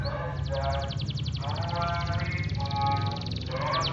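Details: Canary singing freely in the morning: rapid high trills and harmonic warbled phrases in bursts about a second long, over a steady low rumbling hum throughout.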